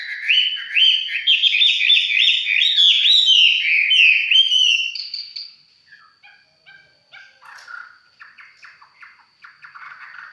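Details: Red-whiskered bulbul of fighting-bird grade, known as mộc chiến, singing casually: a run of bright warbled whistles for five seconds, then quieter broken chirps.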